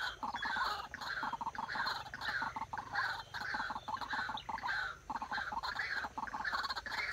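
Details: White-breasted Waterhen decoy bird for trapping repeats coarse, rasping, overtone-rich notes in uneven bursts, a brief pause breaking the series partway through.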